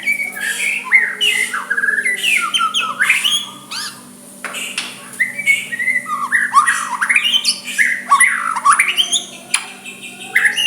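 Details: White-rumped shama singing softly to draw a rival's reply, long bursts of slurred rising whistles and rapid notes separated by short pauses, over a steady low hum.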